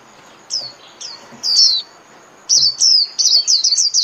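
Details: Japanese white-eye líu song meant for training caged birds each day: a few separate falling whistles, then a dense run of rapid high chirps repeated about three times a second.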